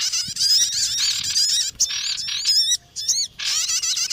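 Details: Bird-trapping lure of sogon calls. A thick, high chatter gives way to clear looping whistled notes, a short silence, then the chattering resumes.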